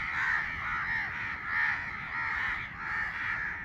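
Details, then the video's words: Raspy caws from a baby crow swell and fade in slow waves, roughly one every second and a half, forming an almost unbroken hoarse chorus. "Baby Crow sound || crow bird crowing sound || crow ki awaz naturally"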